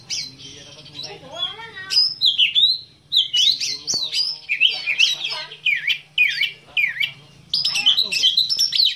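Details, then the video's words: Black-breasted Oriental magpie-robin (kacer dada hitam), a kept songbird, delivering loud swooping whistles and harsh chattering notes in quick bursts, with a steady low hum running beneath throughout. "KICAU KACER DADA HITAM"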